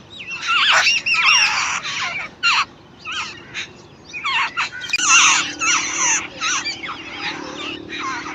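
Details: Chicks fed by their mother give loud, harsh, squealing begging calls in crowded bursts, with wavering, curling notes, a short lull midway, then another intense flurry.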